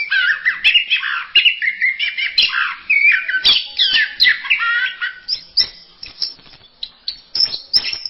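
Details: A masteran recording of orange-headed thrush singing: a rich, varied stream of mid-pitched warbled phrases that gives way to sparser, higher chirps toward the end.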